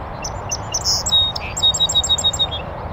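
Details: A North American Song Sparrow, in a bush at a beaver pond on a northern USA oak savanna, opens with a few thin high notes and a low buzz, then rattles off around eight rapid bright chirps ending in a trill.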